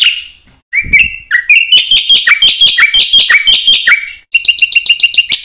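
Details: Black-winged myna song used as a lure for training mynas: a few rising whistled slurs build into a rapid run of loud, ringing, metallic notes with dropping whistles woven in, then quicker chips.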